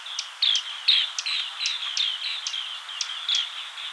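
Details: Asian green bee-eater (Merops orientalis) giving high, trilling chirps roughly every half second over a steady background hiss.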